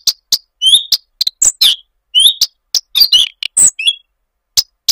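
Common redstart singing short, high, slurred phrases and thin chirps in quick bursts, broken by sharp ticking clicks.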